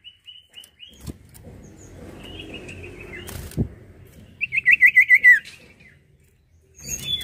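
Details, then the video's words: Sirtu giving a short burst of about seven rapid, rippling whistled notes after soft thin calls, with background rustling and knocks. "SIRTU GACOR"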